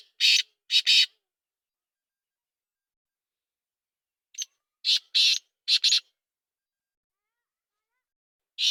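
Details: Kala teetar, the black francolin, calling in harsh, gravelly bursts: a loud pair of notes, a pause of about three seconds, then a faint note and three rasping notes, with another burst starting at the end.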